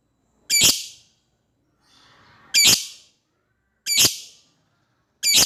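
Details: Lovebird calling to a rival: four sharp, grating shrieks repeated every 1.3 to 2 seconds, with a low murmur of chatter between the second and third.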